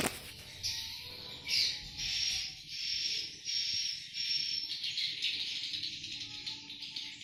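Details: Chorus of swiftlets at the nest, a sustained high, hissing, buzzy chatter swelling and fading in waves about once a second, with little other sound apart from a faint low hum.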